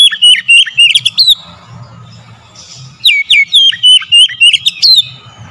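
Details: Lure recording of oriental magpie-robin song meant to trigger singing and agitation: two runs of quick, looping whistled notes separated by a short quiet gap with a low hum.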